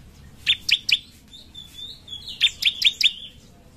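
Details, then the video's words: Sunbird known as ciblek, a favoured master bird, delivering two clipped bursts of three to four sharp, high chirps, linked by a soft thin whistled phrase. "Ciblek mana yang gak ikut bunyi setelah dengar ini?"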